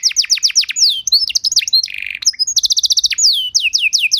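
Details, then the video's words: Canary tutor song for teaching a luxurious repertoire: fast descending notes, mixed chirps, a brief buzzy rattle, then a sharp high trill and repeated downward sweeps. "Masteran dan Pancingan Burung Kenari Biar Punya Lagu Mewah!"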